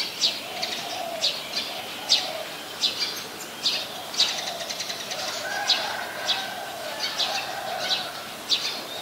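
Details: Brown-throated sunbird from Ubon Ratchathani, Thailand, recorded 13 January 2021 on a Nikon P1000: steady run of sharp, high chip notes, about one per second, with a soft lower hum and a brief whistled tone behind.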